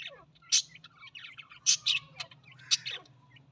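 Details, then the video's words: Australian parrot giving loud chattering chirps in irregular bursts, several bright squawks mixed with busy twittering and quick falling notes, a low hum underneath. "Australian parrot voice"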